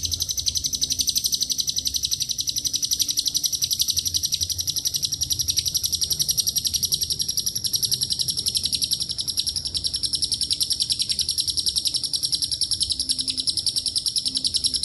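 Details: Lovebird giving a long ngekek song with Cililin and canary phrases mixed in: a steady, shrill, rapid chatter of high notes running unbroken, with a faint low hum beneath.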